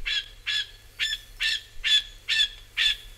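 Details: Rufous Scrub-bird uttering harsh, penetrating chip notes, six in a little over three seconds, evenly spaced and very loud in a quiet setting.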